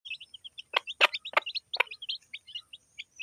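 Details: Hen with her chicks eating food in a village: a stream of short, high peeping chirps from the chicks, with a few sharp, loud taps or clicks among them.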